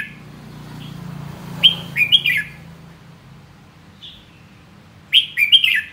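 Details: Red-whiskered bulbul song of quick warbled whistled phrases, several notes slurred together, repeated twice with a lone soft note between them.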